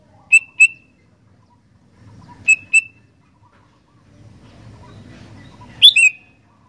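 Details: Sooty-headed bulbul singing vigorously: crisp paired whistled notes, each pair a quick double pip, with three pairs spaced over several seconds and a faint low rumble between them.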